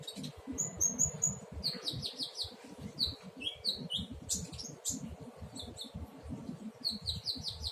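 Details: Young caged brown-throated sunbird (konin) learning to sing: high, thin chirps and short twittering phrases in quick clusters, some sweet whistled notes, over a low steady indoor rumble.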